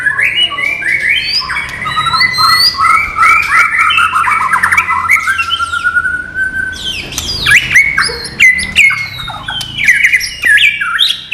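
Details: White-rumped shama, a non-bubbling type, singing a rich varied song of whistled phrases and rapid chattering notes, sliding slurs and sharp rising and falling notes, mostly in mid to high pitch, continuous over eleven seconds.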